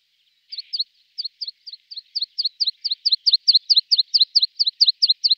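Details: Tree pipit (Anthus trivialis) song: a fast, steady series of sharp, high double notes, repeated about twice a second and growing louder, against a quiet background.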